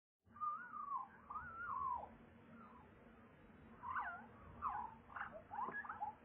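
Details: Crested Lark of subspecies Galerida cristata apuliae sings two drawn-out fluty whistles sliding down in pitch, then a quicker run of short warbled and twittering notes over a faint low hum.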